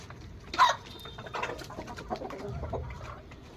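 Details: A Rhode Island Red or Black Australorp rooster gives a sharp, loud squawk followed by a few lower, throaty clucks over several seconds, with faint background noise.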